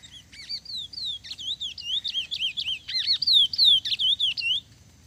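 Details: Lesser seed finch in a singing contest against a brown-plumaged bird: a rapid, loud series of rich whistled slurs and looping notes, about three per second, ending abruptly; only faint low hum beneath.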